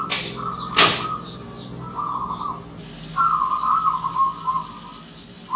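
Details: A wild zebra dove comes visiting, uttering two buzzy, trilled coo phrases, the second longer and wavering, mixed with sharp high bird chirps and a brief knock.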